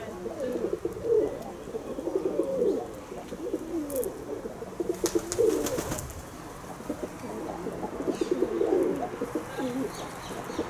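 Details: Kept pigeons cooing at length, with low, rolling, bubbling coos rising and falling in bursts and overlapping between birds. A couple of brief sharp knocks sound in the middle.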